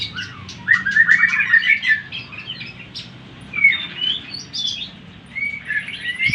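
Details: Greater green leafbird song meant to provoke other leafbirds: bursts of fast chirping and twittering alternate with sliding whistles and brief pauses over a faint low hum.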